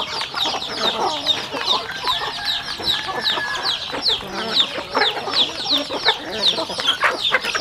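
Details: Rural home chickens feeding together: a steady chorus of thin, high, downward-slurred peeps mixed with pecking taps and low clucks, many birds calling at once.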